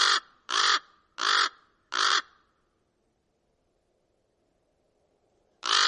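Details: Common raven calling four times in quick succession, coarse rasping caws, followed by about three seconds of near silence and a fifth call at the close.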